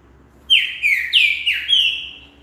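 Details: Green-winged saltator song meant to stimulate other birds to sing: a loud whistled phrase of four slurred notes, each sliding downward, given in quick succession with little background noise.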